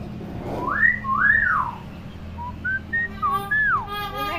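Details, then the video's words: Pet common hill myna, tame and a clever mimic: two rising-falling whistled slurs, then a pause and a string of short whistled notes ending in a swooping whistle, with a brief voice-like sound at the end. "BURUNG BEO PINTAR NGOMONG"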